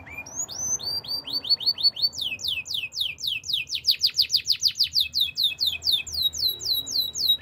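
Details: Canary song of repeated upward-sweeping whistled notes, several per second, accelerating into a dense rhythmic series of steep slurs that continues steadily.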